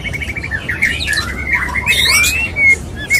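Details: Male white-rumped shama's mating call to a female: sliding whistles and a short burst of harsh, noisy notes, then a clear rising whistle, with further chirps.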